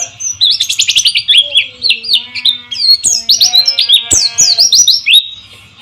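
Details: Pleci (white-eye) song played as a lure for silent birds, with flowing water: rapid high chirped and twittering notes in quick bursts, with lower drawn-out whistles underneath.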